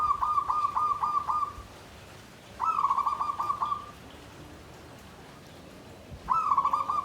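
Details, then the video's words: Zebra dove in a bamboo cage singing the klabang kapipit tumpang sari style, rendered klarr kete kuk kuk: three rolling phrases of rapid pulsed coos at a steady pitch, separated by pauses, over steady background hiss. "SUARA PERKUTUT KLABANG KAPIPIT || TUMPANG SARI || KLARR KETE KUK KUK"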